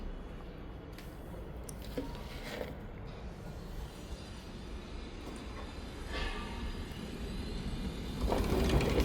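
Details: Steady low rumble and clatter like a passing train, with a few sharp knocks and no clear animal voice.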